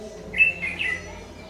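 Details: ['Red-whiskered bulbul (Má lỡ type) with a very fierce voice, recorded on 22 August 2019 during trapping with a decoy bird; one short bright warbled phrase of slurred whistles, over a low steady hum.']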